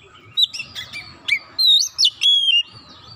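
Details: Brief burst from an actively singing Oriental magpie-robin, used to lure other magpie-robins to sing: a few chattering notes followed by long, clear, sweet whistles, some gliding downward.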